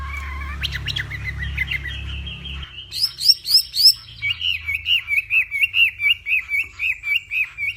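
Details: Hwamei of northwestern Vietnam in morning contest song: a short warble, then three high piercing upslurred whistles, then a long run of fast, evenly spaced chirping notes, about four per second.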